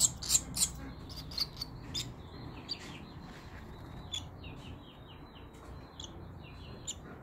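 Barn swallow chicks give a steady run of thin, high chirps, about three a second, with a few sharp clicks and a faint background hiss.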